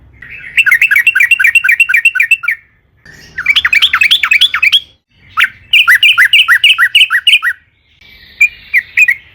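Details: Yellow-vented bulbul in long rolling song, played to trigger singing in other birds: three fast trilled bursts of rapid, rhythmic bubbly notes separated by short pauses, then a final shorter burst.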